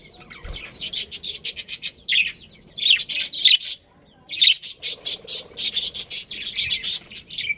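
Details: Breeding pair of budgerigars in a colony, giving rapid rhythmic chatter: dense runs of short high scratchy chirps, broken by one brief pause midway, then resuming steadily.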